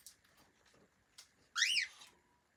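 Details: After faint ticks and rustles, a friendly pet cockatiel lets out one strong, harmonic chirp that swoops upward and falls away, lasting about half a second.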